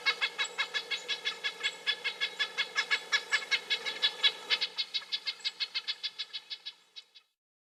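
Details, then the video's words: Red-breasted nuthatch calling: a fast series of short, nasal, tinny notes, about two per second, in a steady run lasting around seven seconds before trailing off, with a faint low hum underneath. "Red-breasted Nuthatch - Bird Sounds"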